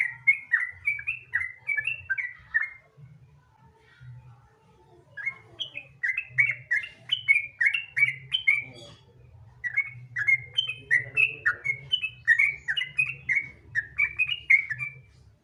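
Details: Sooty-headed bulbul lure song in relaxed 'gacor ropel' style: long bouts of quick, bubbly slurred whistles, broken by a quieter stretch of about three seconds, then resuming densely, over a faint low hum.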